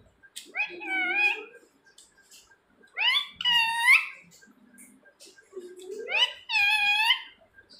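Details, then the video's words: Talking pet parrot in a small room calling out for its owner: three rounds of nasal, human-like phrases, each a short lower syllable sliding up into a loud, strained, drawn-out cry. "मिट्ठू मिट्ठू बोलने वाला तोता.. Talking parrot"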